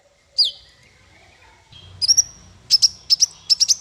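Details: Master song for small fighter birds. One swooping whistle, a pause, then a burst of bright chirps and a series of sharp high notes repeated over a faint steady tone.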